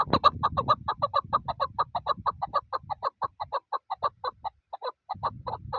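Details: Chakor, the Chukar partridge, giving a long run of steady, hollow chuk notes about two a second, with a low rumbling background and a brief gap near the end.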